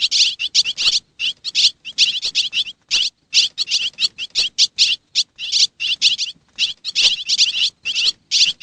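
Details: From Xiangkhouang, Laos, come swiftlet calls: high chirps in brisk bursts, roughly two or three bursts each second, with short silences between them.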